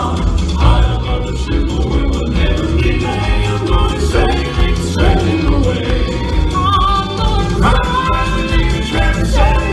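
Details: Music with a male singing voice over instruments, and no animal voice.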